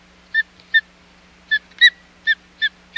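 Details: Osprey at the Hog Island nest on 25 July 2020, during a second fish delivery attempt that failed: a series of sharp, whistled chirps with a rising-falling shape, uneven in timing, about one every half second.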